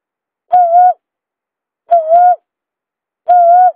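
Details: Buttonquail call played as a trapping lure: three drawn-out hollow hoots with a slight dip in the middle, evenly pitched, roughly 1.4 seconds apart, no other sounds.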